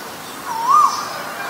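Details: Asian koel from a recording of male and female birds: a single clear upslurred note, swelling in loudness then fading, over a quiet hiss of background.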